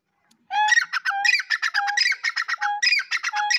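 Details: Black francolin calling: a rapid run of harsh, buzzy chattering notes with several short, low, clear whistled notes mixed in, lasting about three seconds against a silent background.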